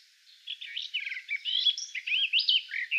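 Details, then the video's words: Garden warbler (Sylvia borin) singing a fast, sustained, rich warbling phrase of mellow twittering notes, running continuously for about three seconds. "Садовая славка / garden warbler (Sylvia borin)"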